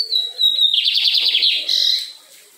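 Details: Lined seedeater singing strongly in the Fátima neighbourhood of Maranhão, Brazil: a high clear whistle slurring downward, then a fast buzzy trill of rapidly repeated notes, followed by a brief higher burst.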